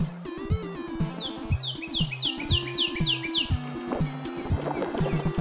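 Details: In spring migration season at Long Point Provincial Park, Ontario, Canada, a Northern Cardinal sings vigorously: a run of about seven loud, clear down-slurred whistles, three or four per second, over steady background music.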